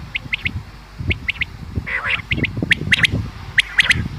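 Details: Common quail calling, as used for hunting: crisp triple-note bursts repeated roughly every second, with a low rumbling noise underneath and a brief scratchy sound midway.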